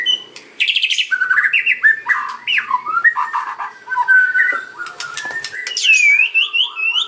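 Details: Kretekan and ocean song of a white-rumped shama for luring other shamas: harsh squawky notes, rattles and mid-pitched whistles, ending with a clear descending then rising high whistle.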